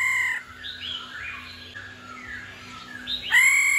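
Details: Female laughingthrush giving a 'ro' call to excite males into song. A loud nasal note fades into soft, sliding whistles, then another strong, ringing note starts near the end.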